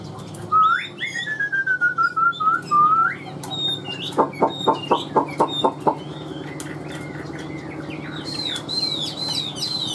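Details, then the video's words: Chinese hwamei singing in a cage starts with loud, slurred, downward-gliding whistles. These give way to a fast series of about a dozen sharp, evenly spaced pulsed notes, then softer high whistles. "Siêu mỏ ra giọng rất đều - Họa mi đẹp hót hay"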